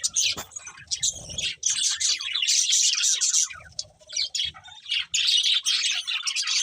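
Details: Budgies chirping loudly in bursts of bright, rapid twittering warbles with short pauses between them, plus a low thump at about one second.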